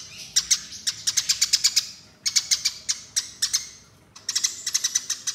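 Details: Fighting calls of a Eurasian tree sparrow, a lure sound: bursts of quick, harsh chirps in clusters of three to eight, separated by short silent pauses.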